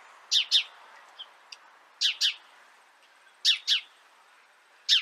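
A sparrow gives bright, high chirps, mostly in quick pairs, about every one and a half seconds, with a few softer notes between.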